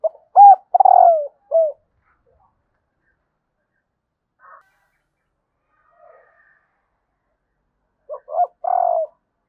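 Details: Female spotted dove calling to stir up males: a short cooing phrase of three low notes, the last one long and drawn out, heard at the start and again near the end, with a quiet gap between.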